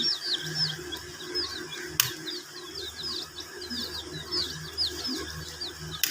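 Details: Domestic chicks drinking water: dense, overlapping high thin chirps from many chicks run throughout, with a steady low hum beneath and a couple of sharp clicks.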